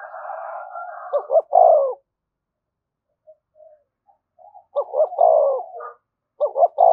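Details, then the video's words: Spotted dove cooing in "thúc gù" style for luring: a drawn-out phrase ending in a falling coo, a quiet stretch with scattered soft notes, then another stuttered phrase and coo. "tiếng cu gáy/ cu gáy thúc gù bài bản dùng kích bổi hiệu quả"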